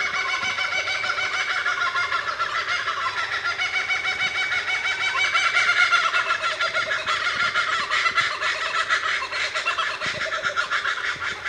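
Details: Kookaburras on King River frontage give a loud, raucous cackling chorus, a rapid, ringing chatter that swells and falls for about twelve seconds without pause.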